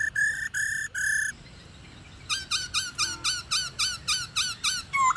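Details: Female black-throated laughingthrush, long in the wild, calling to make males sing: three rough buzzy bursts, a quiet gap, then a steady train of short, sharp notes ending in a rising whistle.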